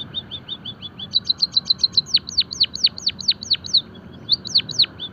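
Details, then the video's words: Java sparrow training song: soft high chips building into a rapid clicking phrase, then a sequence of loud hooked notes falling steeply in pitch, roughly three per second, with a short gap before two more. "emprit kaji gacor - masteran dan pancingan burung pipit jawa peking bondol haji biar gacor"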